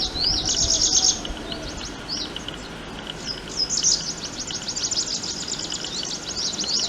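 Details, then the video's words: Prinia call: rapid, high, thin chirps, about three a second, in uneven bursts over a low steady rumble. "The call I Prinia I वटवट्या"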